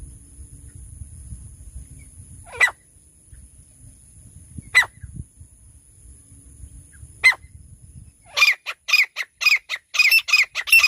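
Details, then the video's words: Francolin (teetar), described as a female voice and used for hunting: three isolated sharp notes spaced two to three seconds apart, then a rapid run of harsh, buzzy repeated notes over a faint low rumble and a steady high hiss. "झाड़ी में रहने वालों तीतर शिकार करने की साउंड। Sounds of bush dwellers hunting pheasants. Francolin"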